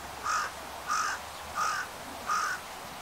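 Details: Carrion crow calling outdoors: four hoarse, harsh caws, each short and of even pitch, spaced about two-thirds of a second apart, over a quiet background.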